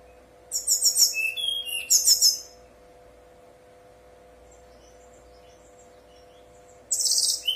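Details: Brown-chested jungle flycatcher 'nyuling' song played to stimulate other birds: two dense bursts of very high buzzy trills with short whistles between, a long near-silent pause with faint distant notes, then another high buzzy burst, steady hum throughout.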